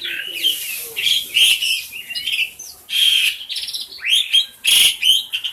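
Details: Noisy tame caged black-collared starling kept for tutoring other birds, pouring out dense harsh chatter mixed with squeaks, buzzy trills and short slurred whistles in near-continuous bursts.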